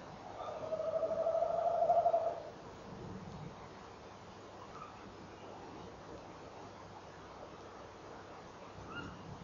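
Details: At 06:45 on 18 November 2013 a male tawny owl rolls into his quavering hoot while the female replies; a two-second trembling tone opens the recording, followed by long quiet with faint distant higher notes.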